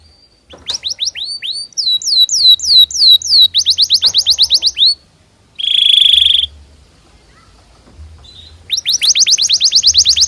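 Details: Canary song used as a training recording for young canaries: long phrases of fast, repeated downward-sweeping chirps, a dense buzzy trill, a short pause, then another rapid run of sweeping notes.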